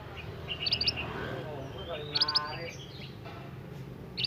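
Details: Young forest-origin scarlet minivet singing vigorously: a quick cluster of shrill high chirps, a pause, another burst of sharp notes and a final chirp, with people talking softly nearby.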